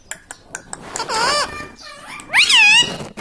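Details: Pet parrot that talks, saying words like "mitthu" and "mummy": a few soft clicks, then two drawn-out, wobbling, voice-like phrases, the second louder and higher.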